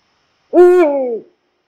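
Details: A Eurasian eagle-owl, the largest owl living in Poland, gives a low resonant hoot that starts abruptly, stays even, then falls away over about three-quarters of a second.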